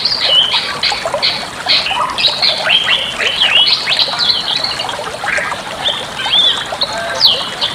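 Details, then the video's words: Master song of a Bali myna for training other birds: dense run of harsh chattering notes mixed with short whistles, several squeaky upslurs near the end, over steady hiss. "suara masteran burung jalak bali"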